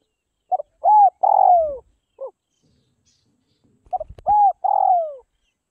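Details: Tame spotted dove of the Northwest Vietnam type, kept and hand-fed to lose its fear of people, cooing in two phrases: a short note, then a soft rising coo and a long, drawn-out falling coo, repeated after a pause.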